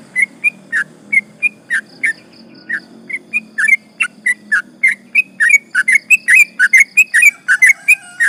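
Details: Sooty-headed bulbul performing extended 'ropel panjang' song as a lure that angers rivals: sustained, accelerating sequence of short chirpy whistled notes, growing denser toward the end.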